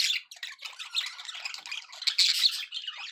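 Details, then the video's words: Budgerigars kept as pets chattering happily, a busy wash of buzzy warbles and squeaky notes, louder and shriller around the two-second mark. "happy budgie sounds"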